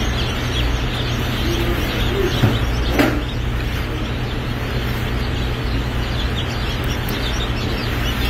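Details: Baby chicks of the Lavender Orpington breed at a hatchery: a chorus of short high peeps running continuously, with one louder sharp click near the middle, all over a constant low droning hum.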